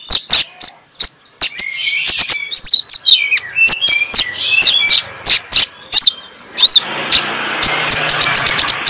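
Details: Magpie-robin singing in the morning as a lure for silent magpie-robins: upslurred whistles and short phrases among sharp clicks, with hissy noise building toward the end.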